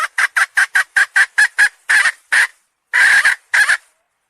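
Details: Quick series of harsh hen clucks, first rapid and regular, then lengthening into a few longer, drawn-out squawks with gaps between them.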